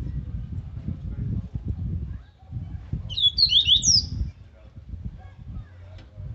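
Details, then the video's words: A caged rusty-collared seedeater sings aggressive, strong song used for training other birds, one quick burst of high, rapid twittering notes about a second long, over a steady low rumble of background noise. "Canto do Coleiro Laranjeira Agressivo"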